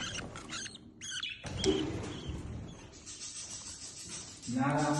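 A budgerigar gives quick, squeaky chirps, followed by a human voice near the end.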